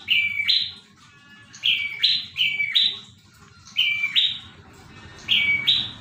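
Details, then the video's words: Prinia song of high, loud paired notes, a lower note jumping to a higher one, delivered in quick runs separated by brief pauses, with constant low rumbling noise underneath. "Burung prenjak gacor dor"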